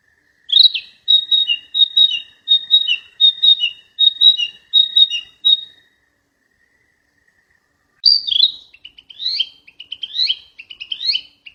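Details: Flycatcher singing in the wild: a fast series of about ten short clipped whistled notes, then a pause of two seconds and a livelier burst of rising and falling twittering notes.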